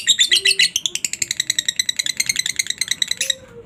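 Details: Lovebird ngekek, a long chattering run used to draw replies from other lovebirds; rapid high, scratchy chips repeated in a continuous string, louder at the start, then steady, with a soft low hum beneath.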